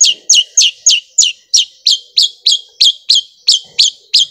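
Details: Long-tailed shrike singing a sewing-machine-like rolling song: a steady run of fourteen sharp, downslurred notes at a quick, even pace, with faint background noise.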